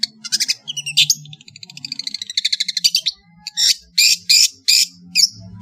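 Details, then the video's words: Long-tailed shrike of Madura origin in lively varied song: scratchy rasps, a fast trilled chatter of rapid notes, then loud harsh buzzy bursts and a whistle, over a low hum. "SUARA burung CENDET GACOR master full variasi | ASLI cendet MADURA GACOR DOR"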